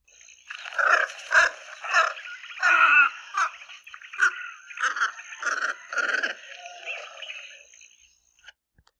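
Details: Squacco Heron, Botswana, giving its alarm or flight call: harsh, croaking squawks in a rough series of about a dozen notes over eight seconds, some doubled and gargling, with a faint steady hiss.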